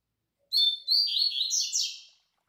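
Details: Captive Double-collared Seedeater (Coleiro), a master singer used to train young birds, delivers the Tui Tui Zel Zel classic: bright whistled opening notes, tumbling downward slurs, two rapid descending buzzes, clean silent background.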